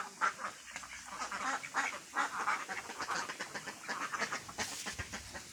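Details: Ducks, with Mandarin ducks, mallards and Pekin ducks among them, quacking together in a busy flock; short nasal quacks tumble over one another in quick, uneven bursts with no pause in the chatter.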